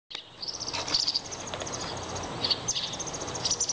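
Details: Young American robin siblings chirping and pestering each other: thin, very high chirps in short clusters around the first, third and fourth seconds, over a steady background hiss.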